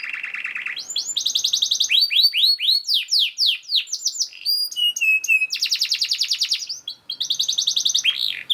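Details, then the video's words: Speedy, dense canary song played as master material so other canaries learn to sing: a low buzzy trill, then rapid rattling trills, series of descending sweeps and clear held whistles, tours switching quickly. "KENARI GACOR SPEED RAPAT UNTUK MASTERAN KENARI ANDA"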